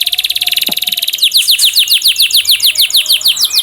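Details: Canary song used as a training lure to make canaries sing: a very fast pulsed high trill, then a rhythmic series of sharp downslurred whistles, roughly four per second.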